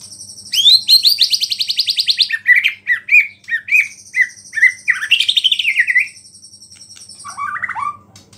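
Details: White-rumped shama singing energetically, its song filled with imitations of small birds and said to provoke other shamas: a fast buzzy trill, then a string of short whistled phrases repeated about twice a second, and a final scratchy burst after a pause.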